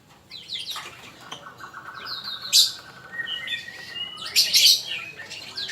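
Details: Singing of a male magpie-robin, for training other birds: quiet short whistles and a soft rapid rattle, broken by two loud harsh bursts and a few clear whistled notes.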